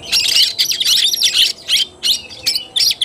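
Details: Oriental magpie-robin in kacer tarung fighting style, 17 August 2021: short loud bursts of harsh, high chattering notes, about three per second, irregularly spaced.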